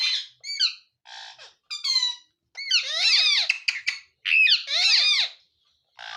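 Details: Parrot, called mithu, making squeaky, creaking calls in bursts of harmonic swoops and chatter, some sliding up and down, with short silent gaps between phrases in a small quiet room.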